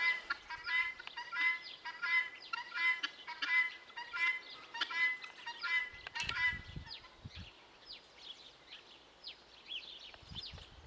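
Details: Guineafowl repeating grating, buzzy two-part calls about every 0.7 seconds for seven seconds, then a short bump and faint high chirps from other birds as the calling stops.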